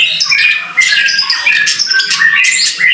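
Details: Murai batu (white-rumped shama) gacor song in the rain: dense, fast jumble of high whistles and chattering notes delivered without pause.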